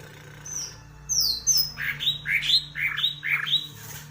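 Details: Green leafbird singing with its tail fanned: a few high thin whistles, then a quick series of harsh, squawky up-and-down slurred notes repeated about twice a second over a low steady hum.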